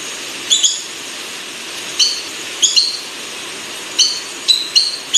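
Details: Buff-banded rail, known locally as tikling bulik, in Sulawesi: short, sharp, high squeaky notes given singly or in quick pairs, repeated at irregular intervals over a faint steady hiss.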